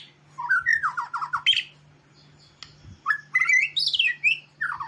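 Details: Active singing from a white-rumped shama, Medan variety, recorded as masteran for training other birds: a quick run of descending notes, a pause, then rising whistles and buzzy warbles, with a steady low hum throughout.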